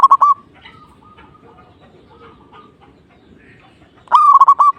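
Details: Zebra dove singing actively to provoke a rival: two loud, bubbling coo phrases of rapid stuttered beats, about four seconds apart, with faint thin whistles from other birds in the gap.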